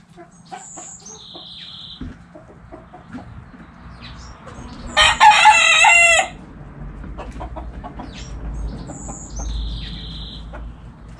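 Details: Backyard chickens: hens give soft, scattered clucks throughout, then a rooster bursts into one loud, harsh crow lasting about a second midway; thin high whistled notes from another bird sound before and after.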